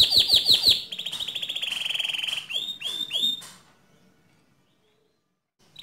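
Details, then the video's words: White canary singing: a few sharp downslurred chips, then a long rapid high trill, three swooping whistles, and finally silence. "Suara Kicau Burung Kenari Putih Bersih Gacor Dor"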